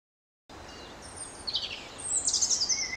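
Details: European robin, sung by males and females alike to defend a winter territory and drive off intruders; a babbling run of thin high notes, a descending trill, then a louder sharp rippling flourish and a short whistle at the end.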